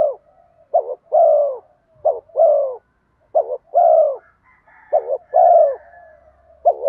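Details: Spotted dove cooing to attract wild doves, bronze-voice style mixed with urging coos: five low phrases, each a clipped double note and a longer coo, with a faint low rumble in the background.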